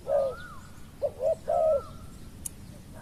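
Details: Spotted dove calling while luring a wild dove. A drawn-out coo is followed by two brief notes and another long falling coo. A thin sliding whistle from another bird runs above, and there is a small click near the end.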